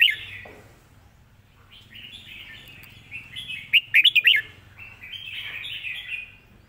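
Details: Model song of a red-whiskered bulbul, played to teach birds: a flowing run of warbled, slurred whistles, building to a fast cluster of loud chirping notes mid-phrase, then tapering into softer, rising whistles.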